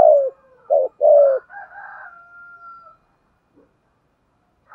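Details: Spotted dove coo as decoy training sound: three hollow falling coos open, followed by a thin drawn-out higher whistle-like tone and quiet gaps.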